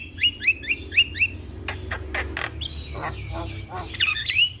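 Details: Javan myna (jalak kebo) singing on a tutoring recording meant to make young birds sing nonstop. Five quick rising whistles in a row, then harsh squawks and clicks, ending in more whistled notes over a low hum.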